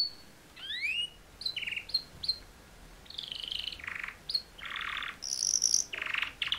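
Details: Two male canaries giving mating call song: quieter mix of rising whistled slurs, short repeated chips and broad buzzy rasping bursts, with pauses between phrases.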